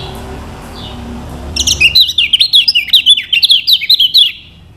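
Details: Lemon-bellied white-eye (Lombok yellow kecial) used as a lure song to teach other birds to sing: after a quiet start, a fast high twittering warble of zigzag notes runs for about two and a half seconds.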